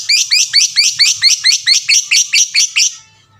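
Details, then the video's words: Lovebird calling to provoke other lovebirds into calling: a fast, steady series of about twelve harsh, shrill chirps, roughly four per second, ending abruptly in near silence. "pancingan lovebird paling pintar suaranya 99% jago bikin lovebird yang dengar terpancing rame bunyi"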